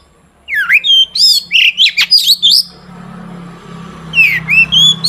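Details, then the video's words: Long-tailed shrike singing hard as a lure for other shrikes: a quick medley of swooping whistles and harsh notes, then a hissing gap with low hum before more rising whistled slurs. "Burung cendet gacor DOR BUAT PANCINGAN CENDET AGAR BUNYI"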